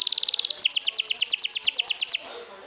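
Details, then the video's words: Canary singing as a lure to excite other canaries: a fast, tight trill, then a slower run of about fourteen loud, ringing repeated notes that stops abruptly. "PIKATAN KENARI, PANCING EMOSI"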